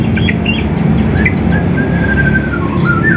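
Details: In the morning, a Banyuwangi and a Sumatran greater green leafbird, trained for contests, seek a rival: a few short chirps, then a long level whistle and a falling note, against a loud low hum.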